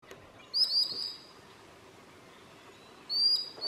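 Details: A common sandpiper at midsummer in Southern Savonia, Finland, gives two bursts of thin, shrill, high whistled notes run together into a quick trill, about two and a half seconds apart, over a quiet background.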